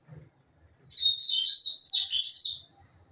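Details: Caged rusty-collared seedeater kept by breeders, a singing bird of the grego style: a rapid, dense burst of high twittering notes lasting under two seconds, with faint low background rumble.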